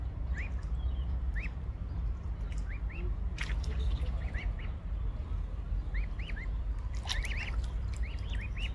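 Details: Mute swan cygnets with their family out in the sun: thin, high, upslurred peeps given singly and in quick pairs, scattered irregularly over a low, steady background rumble, with a few sharp clicks.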